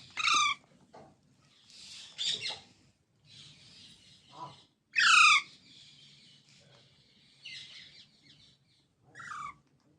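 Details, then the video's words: Baby green parrots, Indian mitthu birds, calling with sharp downward-sweeping squawks, several bursts separated by quieter raspy chatter. "Baby Parrots Sounds"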